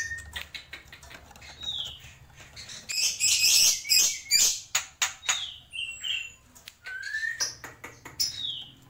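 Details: Black-winged myna (jalak pito) song in tembakan style: a loud run of raspy chattering notes in the middle, framed by thin, high, downslurred whistles.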